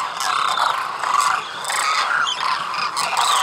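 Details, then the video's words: Wintering flock of migratory demoiselle cranes in rural Khichan village, Rajasthan, India; overlapping trumpeting, rolling calls from many birds in continuous chorus, with sharper higher notes standing out. "Demoiselle crane spending the winter in Rajasthan, India"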